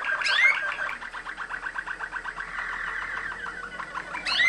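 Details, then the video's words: Waterslager Malinois canary from Kumanovo, Macedonia, descended from international contest champions, delivering a steady rapid rolling trill of repeated pulsed notes, framed by brighter rising whistled flourishes at start and end. "Waterslager, Malinois song"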